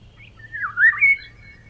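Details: Eurasian golden oriole giving a mellow, flute-like whistled phrase with two strong swooping notes near the end, against a quiet low background hum.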